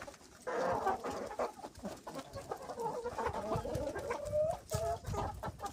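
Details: Hens and roosters pecking white food: a flock murmurs in continuous soft clucks, with a drawn-out rising tonal call near the end among sharp pecking knocks.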